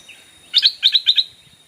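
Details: Stripe-throated Bulbul used as a decoy to call wild birds: a faint note, then three rapid doubled bursts of loud, bright chatter.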